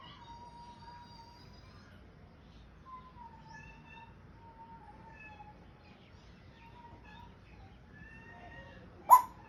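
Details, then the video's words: Pet African grey parrot making sounds while trying to speak: long, soft, level and gently falling whistles in a quiet room, ending with one loud, short squawk. "African grey parrot trying to speak and making some sounds"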